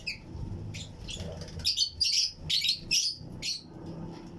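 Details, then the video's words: Colony of Fischer's and Lutino lovebird pairs in a flight cage aviary chirping along with other birds: a quick burst of harsh, high, shrill notes, about a dozen in four seconds, with the loudest run in the middle. "Fischers & Lutino Colony Chirping Sounds"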